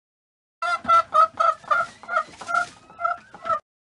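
A hen clucks in a quick series of short, nasal, throaty notes, roughly three or four per second.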